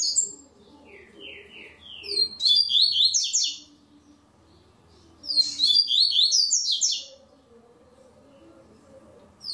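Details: Double-collared seedeater (coleiro) in an online singing tournament: two bursts of rapid, high, buzzy notes with fast descending sweeps, each about one and a half seconds long, separated by quiet stretches with faint low chirps and room sounds.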